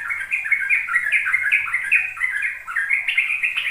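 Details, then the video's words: Ropel song of a sooty-headed bulbul, played to young birds so they learn it: fast, tumbling chains of warbled, fluty notes, about two or three per second, flowing into one unbroken phrase. "Pancingan trucuk agar trucukan BAHAN PAUD ikut belajar ropel"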